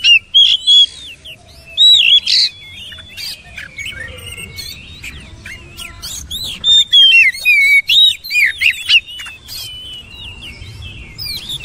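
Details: Oriental magpie-robin delivering a long, varied song of fast whistled upslurs, downslurs and clicks, loud bursts alternating with quieter twittering over faint background noise.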